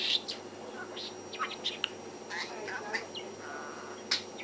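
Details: A pet budgerigar, a male, chatters in quick, scratchy warbles and sharp chirps with mimicked speech-like bits mixed in, talking nonstop while doing an excited dance.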